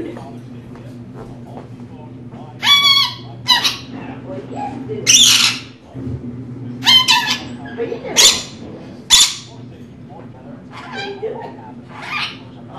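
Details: Pet female rainbow lorikeet talking indoors, mimicking human phrases: a run of harsh, raspy, speech-like bursts in separate bursts of about half a second over eight seconds, with a steady low electrical hum underneath.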